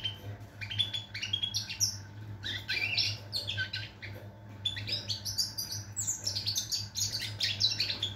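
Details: Continuous bubbling twitter from a European goldfinch, dated 22 September 2023: tinkling, buzzy notes tumble in quick irregular phrases without pause, a low steady hum running throughout.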